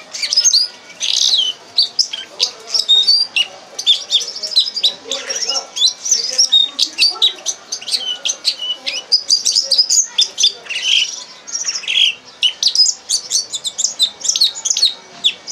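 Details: Red crossbill training song for captive birds: long, continuous, high-pitched chattering of clipped chirps and thin whistles in fast bursts, with a few lower warbled notes mixed in.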